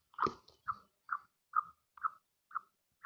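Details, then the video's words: Female black francolin calling to excite the male: a run of seven short, clipped notes repeated about twice a second, the first note rougher and louder, then steadily softer notes. "Kali Madi ki awaz|Titar ko Mast krny wali awaz"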